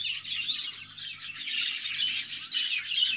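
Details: Several budgerigars chirp together in rapid, scratchy warbles and bright tweets that never pause, over a soft low hum.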